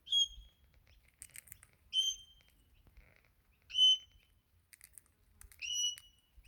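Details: Wild crimson rosella that visits almost every morning, calling as if asking for food and pecking sunflower seeds from a hand. Four clear whistled notes with a short rising start and level tail, about two seconds apart, between soft clicks and pecking taps.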